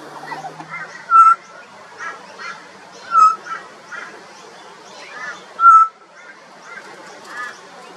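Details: Juvenile pied butcherbird singing sparse clear whistled notes, each short and slightly downslurred, repeated every two seconds or so, with soft background chatter of other notes.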